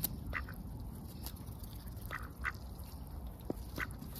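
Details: Lively ducks recorded at close range under heavy overcast skies give a few brief, nasal quacking notes spaced unevenly over a few seconds, with a constant low-pitched rumble beneath.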